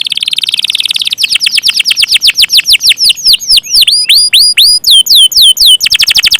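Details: Canary song opening with a fast buzzy trill, then steady downward-sweeping whistles, some with a high overtone, ending in a quick rolled burst.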